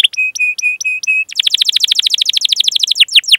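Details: Canary song for training young birds to sing: a run of five flat, steady whistled notes with bright overtones, then a rapid rattling trill of sharp downward chips lasting about two seconds.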